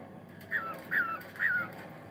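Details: Morning cockatiel sound: three clear downward-sliding whistled notes, evenly spaced about every half second, against a soft steady background.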